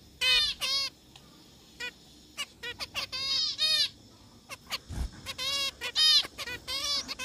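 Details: A zebra finch sings short, nasal, buzzy notes in quick repeated bursts.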